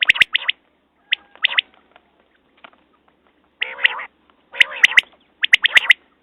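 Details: Quail calling: sharp, clipped three-note phrases, high and bright, alternating with harsher buzzy, nasal bursts, with short silent gaps between phrases.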